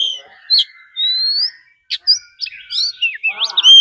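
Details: Oriental magpie-robin singing a fighting song with a wild female calling, meant to excite other birds: sparse, clear whistles, one long rising note, then quick twisting chirps that build toward the end over a quiet background.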